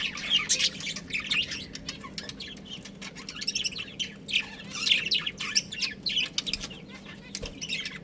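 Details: Caged budgerigar breeding pair chattering in bursts of high, scratchy warbling chirps, with louder clusters roughly every second and quieter twitters between, against a faint constant hum.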